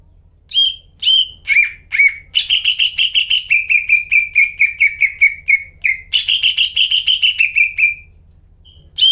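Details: Greater green leafbird in energetic song, used to coax quiet leafbirds into singing: scattered clear notes build into a long, fast chain of repeated slurred phrases, briefly interrupted, ending after about eight seconds; faint low background hum.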